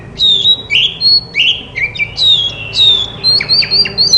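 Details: Oriental magpie-robin singing to set off a silent bird: clear, loud whistled phrases sliding down, each about half a second, interleaved with sharp up-slurred notes, steady pace throughout.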